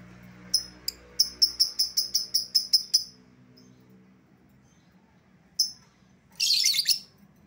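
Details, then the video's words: Lure call of a lovebird for calling back an escaped bird: a quick run of about ten shrill, high chirps, a pause, one more chirp, then a harsh, buzzy squawk burst. "suara pikat lovebird yang lepas"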